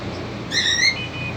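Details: Cockatiel family down at the cage; one drawn-out, slightly rising grating call trailing into a thin whistled tail, with low hum underneath.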